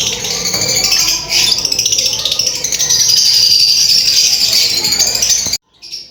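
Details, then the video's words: Mating lovebirds give a continuous, dense, rattling high chatter that stays loud for over five seconds, then stops abruptly. "Lovebirds chirping sound | lovebirds singing | mating sound lovebirds"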